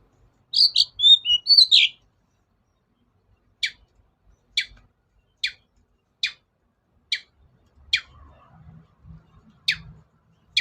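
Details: Long-tailed shrike lure sound for reluctant singers: a quick burst of varied chirpy notes, then a series of short, sharp clicks repeated about every three-quarters of a second, with faint low thumps.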